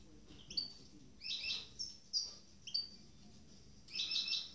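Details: Captive goldfinch hybrid (mule), one of two shown after finishing their moult: short bright chirps in separate bursts about every half second to second, some sweeping downward, over a faint low hum.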